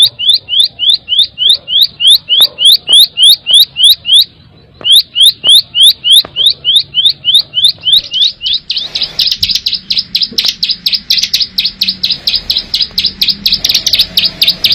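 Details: Bar-winged prinia ngebren song, natural and loud: repeated upslurred high whistled notes at a brisk pace, a short gap, more of the same, then a dense, buzzy, rapid high chatter.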